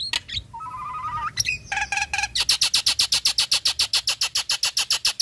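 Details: A female Nias hill myna in breeding condition gives a few varied whistles and clicks, then a fast run of loud, harsh, high chattering notes, about four per second.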